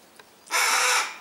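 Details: Captive Harris's hawk, one of a pair feeding its chicks, gives a single harsh broadband screech lasting about half a second after a faint short note.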